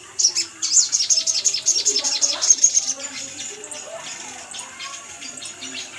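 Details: Sunbird (sogon or sogok ontong) calls used as a lure to make caged birds sing: rapid, very high, thin chirps repeated about twice a second for three seconds, then fading into fainter scattered notes over a faint low background.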